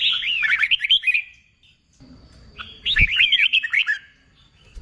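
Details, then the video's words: Red-whiskered bulbul, freshly wild-caught and in contest-singing training, gives two rapid tumbling phrases of bright looping whistles, separated by a brief quiet gap with a soft thump. "Kích bổi nghe là hót, luyện chim hót đấu, luyện chào mào bổi sổ giọng"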